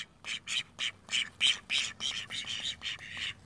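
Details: Call duck in a pool giving a run of loud, harsh quacks, about a dozen in quick succession, each short and nasal, with brief pauses between them.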